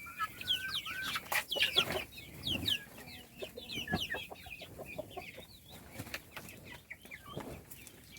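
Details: Many chicks at feeding time chirp steadily, their thin, high peeps sliding up or down and overlapping in an irregular chorus, about one a second from each bird, with soft tapping and pecking clicks between them.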